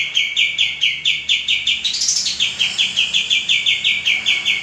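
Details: Common iora male in full song, intended for training caged birds, delivering an unbroken string of short, high, evenly pitched chirps, roughly four to five per second, with a brief brighter flourish midway.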